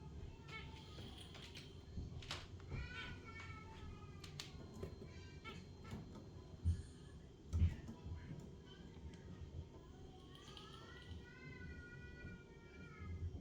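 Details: A pair of Budgerigars sitting on a twig chatter in quick, scratchy chirps and warbling phrases over a low background hum.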